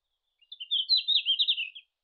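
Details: Red-flanked bluetail (Tarsiger cyanurus) singing in Japan in June: one brief, high warbled phrase of quick, slightly wavering notes lasting about a second and a half, with a quiet background.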